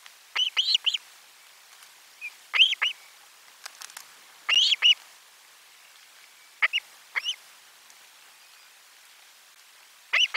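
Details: Nest-camera Osprey, 12 July 2022, with lunch fish arriving. Paired and tripled whistled chirps, sharply rising then falling, spaced irregularly about two seconds apart.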